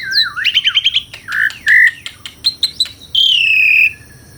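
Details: Jalak suren, or Asian pied starling, giving a varied song: a fast run of stuttered notes, loud slurred whistles, sharp clicks, and a long whistle that falls slowly.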